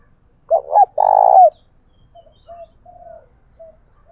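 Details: Decoy spotted dove in the 'thổ bầu' voice, used to stir rival doves into fighting: two quick hooked coos followed by one long, throbbing coo that drops at the end, with soft distant coos trailing afterwards.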